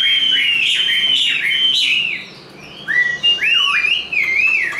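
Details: Tame male-type Chinese hwamei, described as a strong fighting singer, pouring out loud, rich whistled phrases, slurred up and down with quick trills, in a fast varied fighting song; no other sounds.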